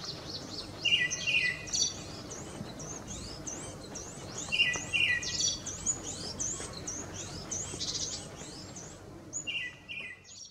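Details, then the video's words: A male Tickell's thrush in Ladakh sings to a female: brisk phrases of clear whistles and high, slurred notes in bursts every few seconds, with other high chirps and soft background noise. "Tickell’s Thrush Song"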